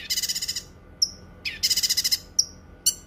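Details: A Cucak kinoi, sung for training other songbirds and for therapy, produces long fast trills of harsh high notes broken by short thin downslurred whistles.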